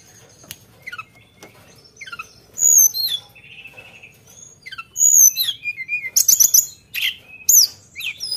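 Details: Sunda bush warbler in fill-in song with sharp shooting notes: quiet scattered chips, then loud, high, clear whistled slurs and buzzy bursts, growing denser toward the end.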